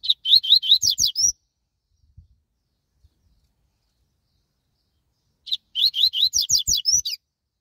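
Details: Double-collared seedeater, a quick and strong-singing coleiro, delivering two fast bursts of ringing upslurred whistles, about ten notes each, separated by a four-second pause with faint thuds.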